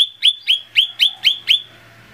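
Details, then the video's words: Lesser green leafbird song used as a singing lure: seven clear upslurred chirps, roughly four per second, over a faint low hum. "SUARA PANCINGAN CUCAK IJO MINI"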